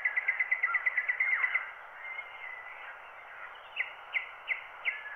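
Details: Wild bird song, a microphone recording transferred to a black wax cylinder at 90 rpm: a fast run of about ten sharp chirps in the first second and a half, then four spaced down-slurred notes, over a steady, muffled hiss.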